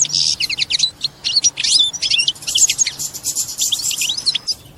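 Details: European goldfinch mating song, said to make the female take a mating posture after hearing it. Fast, bright, high twittering with liquid trills and sharp chirps, delivered in quick, irregular bursts.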